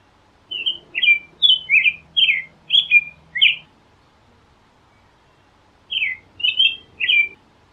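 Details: Carolling American robin: a burst of seven whistled, warbling phrases in quick succession, then a pause of about two seconds, then three more phrases; faint low hum underneath.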